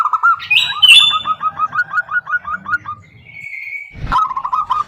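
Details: Female zebra dove calling the male: a steady run of about a dozen quick rolling coos, with a loud higher whistled note near the start, a long thin whistle mid-way and a sharp click before a final burst.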